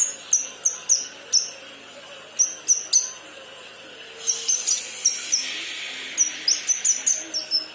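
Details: Immature kinoi practising its song with clipped, high, down-slurred chirps in small clusters separated by silent gaps, later joined by a soft rushing hiss.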